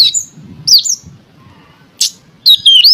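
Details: Oriental magpie-robin song meant to provoke other magpie-robins to sing: loud, clear whistled notes sweeping up and down, a short sharp burst, then a rich run of fluting whistles at the end.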